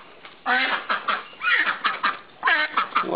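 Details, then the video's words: Pet ducks at a home quacking loudly while waiting to be fed: repeated harsh, nasal quacks in rapid bursts, several calls overlapping, with a person speaking nearby. "Ducks Quacking Loudly"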